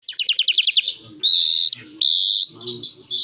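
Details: Calandra lark singing: a fast series of about eight rising chirps, then two sustained bright whistled notes with faint low background rumble.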